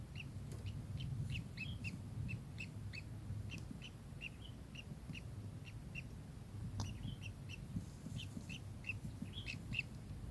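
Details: Kingfisher calling with a fast series of short, sharp high chirps, a couple of dry clicks, and a low rumbling background.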